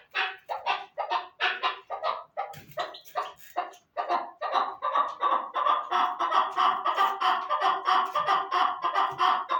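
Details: Chukar partridge calling in a long rhythmic run of throaty, clucking notes that start spaced and uneven, then settle into a fast, regular chuk-chuk series, roughly one and a half per second.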